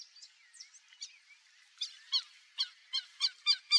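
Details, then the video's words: Black-bellied whistling duck (Dendrocygna autumnalis), wild in the Pantanal, giving high, thin squeaky whistles, soft at first, then a run of louder sharp notes about four per second. "MARRECA-CABOCLA (DENDROCYGNA AUTUMNALIS), BLACK-BELLIED WHISTLING-DUCK"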